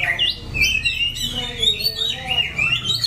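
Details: White-rumped shama in Daklak, Vietnam, September 2015: a rich, continuous warble of fluid whistles that swoop up and down, with lower notes woven beneath, over a faint low hum.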